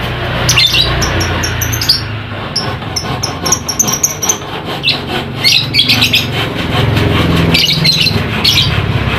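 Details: Caged lovebird sound played to excite other lovebirds that will not sing. A dense, busy stream of thin, high chattering notes runs over loud low-pitched background noise.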